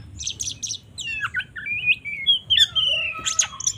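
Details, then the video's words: Provoking fighting song of an Oriental magpie-robin: three quick buzzy chatters, then flowing varied whistles and slurs ending in loud sweeping high notes, with a faint low background hum. "Suara burung Kacer GACOR TARUNG NGOBRA ini paling ampuh untuk menaikan emosi kacer"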